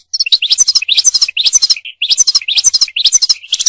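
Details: European goldfinch song, for mating and for teaching goldfinches to sing; short bursts of liquid twittering chirps repeated about every half second in a lively, rhythmic pattern.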